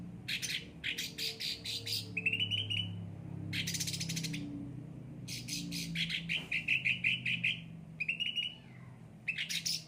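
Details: Singing caged cucak ranting: scratchy buzzy phrases mixed with quick trills and a long rattling trilled passage, with irregular short gaps; faint low hum behind.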